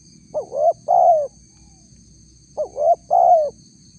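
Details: Spotted dove, described as a female calling a male, in a lure recording: two mellow phrases, each two short rising coos then a sustained descending coo, spaced about two seconds apart, with a constant faint high hum.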